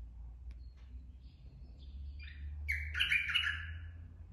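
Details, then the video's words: Straw-headed bulbul, a forest-caught adult: soft scattered notes build into a loud, bubbling, liquid warble in the last second and a half, over low-pitched background hum. "merbah lekir bapak hutan"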